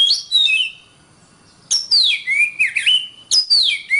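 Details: Master recording of an Oriental magpie-robin, or kacer, used to train songbirds: loud whistled phrases swooping down from high pitch, wavering slurred notes, and a final falling whistle, separated by one short pause.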